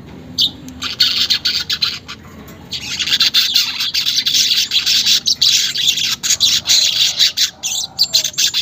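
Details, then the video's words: Unedited recording of weaver chatter, played to caged birds so they start singing quickly: a high, buzzy, sputtering stream of rapid notes that grows denser after a short opening of scattered chirps. "pancingan manyar bahan agar cepat gacor"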